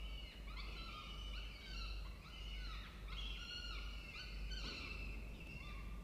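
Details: Nesting peregrine falcons in a water-tower nest box at a university in Orange, New South Wales, Australia, October: a string of hoarse, harmonic wailing calls with slurred pitch bends, closely repeated, over a continuous low-frequency hum.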